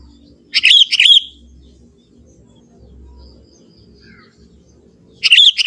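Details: Sooty-headed bulbul, a young wild forest bird, sings short bubbly phrases of quick slurred notes, one early and another after a gap of about four seconds, with faint low background noise.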